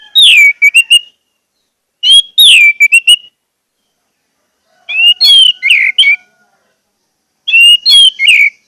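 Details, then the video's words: Orange-headed thrush lure song played so silent birds start singing: four tight bursts of fast, loud whistles, each opening with a downslurred note followed by short chips, separated by roughly two seconds of silence. "pancingan anis merah agar anis merah macet cepat bunyi dan gacor"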